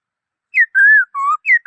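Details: Rapid run of pure whistles from a black-throated laughingthrush: a falling note, a long gently arched whistle, a lower level tone, then another falling note, all in under two seconds.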